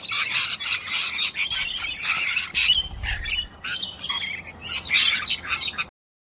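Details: On a rainy day a cranky corella kicks another corella: harsh, grating screeches in ragged runs for about six seconds, high and rasping with no steady rhythm, before cutting off.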